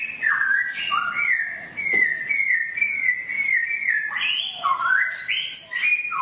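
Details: Songbird song played ten minutes daily to train caged birds: a long, mostly level whistled passage lasting several seconds, ending in lively notes that leap up and down in quick succession.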